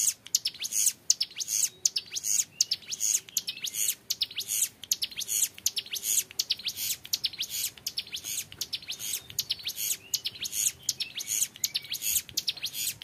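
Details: Young mountain prinia singing a long, clear ngebren-style song: dense, rapid high sharp notes repeating steadily, forming a continuous rattling stream with short pauses throughout.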